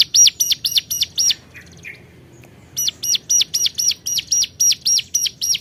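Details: Six quick shrill notes, a short pause with soft chirps, then a resumed rapid series of high piercing notes, as a hill prinia calls to rivals.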